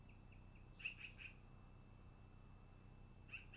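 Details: At the long-eared owl nest, 10-08-2018, early afternoon: a few faint high notes lead into three louder sharp chips, then a lone chip at the end, over a constant thin whine.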